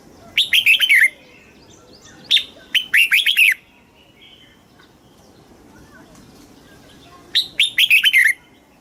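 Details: Red-whiskered bulbul, Thailand, repeating its southern master-style song to stimulate caged birds and tutor chicks; three similar phrases of rapid, sweet whistles falling in pitch, spaced about three to four seconds apart, with quiet background chirps.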